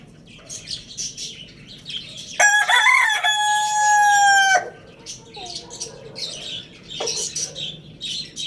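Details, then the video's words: Rooster at the Lalukhet bird market crowing loudly: one long harmonic cock-a-doodle-doo of about two seconds, preceded and followed by chirping of small caged birds and market chatter. "Amazing Roosters Crowing Sound Effect"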